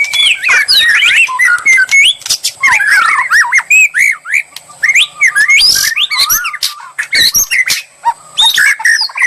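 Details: White-rumped shama song played as bait to make another murai sing at once and respond boldly; rich, varied whistled phrases with sharp rising and falling notes and harsh chattering bursts, a steady high thin tone running behind.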